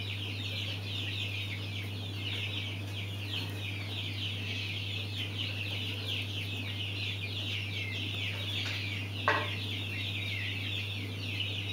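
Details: Mountain quail chicks call without pause. Dense high chirps tumble over one another, with one brief louder scrape near the end and a background low hum.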